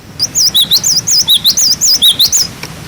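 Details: Cinereous tit singing its wucit wucit song, a tutor recording for young birds: a rapid, steady run of clear wavering whistles that alternate between higher and lower notes, about five per second, against a quiet background.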